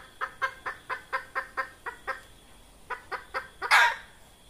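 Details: Hen red junglefowl calling to lure wild birds for trapping: a long steady series of about ten evenly spaced clucks, a brief pause, three more clucks, then a loud rasping squawk at the end.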